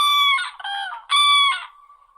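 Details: Crane (Grus) giving two loud ringing calls, each a steady harmonic tone with a rougher, broken end, separated by a short gap, then trailing off into a faint thin note.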